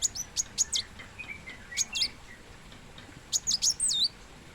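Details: Plain sunbird (kolibri muncang) heard more softly: scattered high, thin chirps in short groups with some fainter, lower twittering notes in between.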